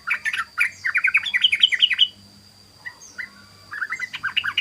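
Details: Rapid ropel song of a sooty-headed bulbul, a lure recording: a run of quick bubbling whistled notes for two seconds, a short lull with a thin falling whistle, then another brisk chattering burst.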